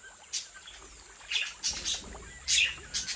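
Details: Australian budgerigars bred at home, quick sharp chirps in short bursts of two or three notes, with soft scratchy rustling between calls.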